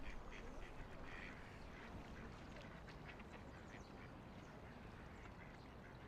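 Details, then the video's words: Ducks floating and playing along a quiet river, giving short, faint, irregular quacks that come in quick bursts over a steady low rush of flowing water. "Relaxing Ducks Quacking by the River"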